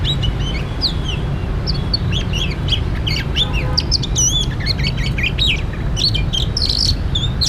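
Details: Oriental magpie-robin filmed during a trapping session: a stream of varied, sweet whistled notes, some rising, some falling, some looping, given in quick succession over a steady low rumbling background hiss.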